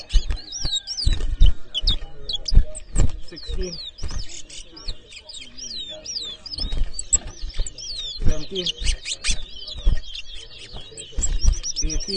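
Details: In a Guyana whistling competition held in Edinburgh Village in 2023, a chestnut-bellied seed finch sings a lively series of rising and falling high whistles amid knocks, rustling and talk.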